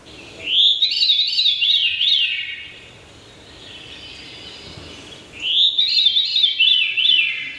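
Veery song: two breezy, spiraling phrases, each rolling downward in pitch over about two seconds, spaced several seconds apart over faint background hiss.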